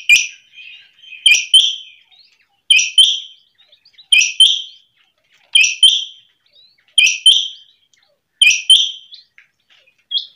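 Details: A quail, labelled a female quail calling in the morning, gives a clear, high two- or three-note phrase, repeated steadily about every one and a half seconds, with nothing else audible.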